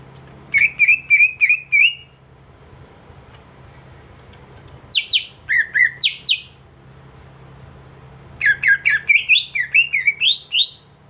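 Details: Green leafbird (cucak ijo) stimulation song for silent birds: a bout of repeated whistles, a pause, a short burst of sliding notes, then a longer rapid phrase of rising and falling whistles over a steady low hum.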